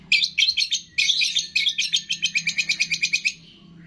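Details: Cendet (long-tailed shrike) mimicry song packed with imitations of cililin, fighting sparrow, lovebird, tengkek and kapas tembak; a few bright chattering clusters give way to an even series of about a dozen sharp high chips, then silence.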